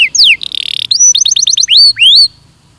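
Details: Belgian canary song used as a training recording: falling whistled sweeps, a dense buzzy trill, then a rapid series of rising notes and two long upward-swept whistles, all clear and high.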